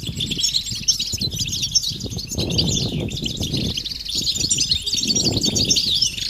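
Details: Group of European goldfinches giving mating and readiness calls meant to make males sing: busy high chattering twitters throughout, over bursts of low rumbling noise.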